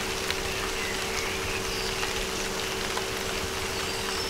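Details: Steady hiss like rain on a surface with a low constant hum, and no animal voice.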